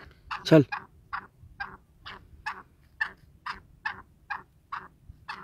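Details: Kala teetar, the black francolin, moving about freely, uttering a steady string of short, rough clucks about every 0.4 seconds, thirteen in all, after a loud broadband thump near the beginning.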